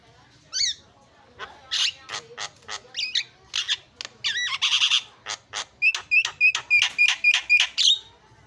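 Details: Javan myna song used as a lure to get a silent myna singing: a fast, varied run of harsh buzzy squawks and sharp whistled notes, ending in a quick series of repeated clipped whistles.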